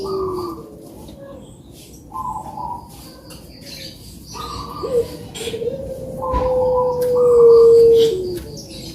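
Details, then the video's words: Softer, more distant puter dove cooing, meant to stimulate lazy birds: spaced short coos building to a long, steady sustained note near the end. "COCOK BUAT PANCINGAN BURUNG PUTER YANG MALAS BUNYI"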